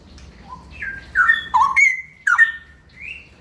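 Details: Ropel-style song of a straw-headed bulbul: a soft low whistle builds into loud, fluty slurred notes that drop and rise sharply, and the phrase ends in a sustained high whistle.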